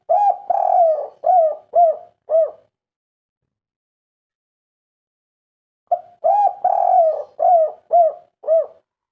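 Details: Local spotted dove in kuk 3 style, calling to set other birds off: two phrases of mellow cooing, a longer drawn note followed by three or four short hollow coos, phrases about six seconds apart.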